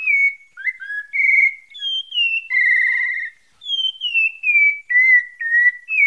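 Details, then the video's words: A pale-breasted thrush (sabiá parda, Bahia Santa Fé) sings a varied string of clear, whistled mid-high phrases, some slurred downward and one a buzzy trill, with short pauses between them. "SABIÁ PARDA"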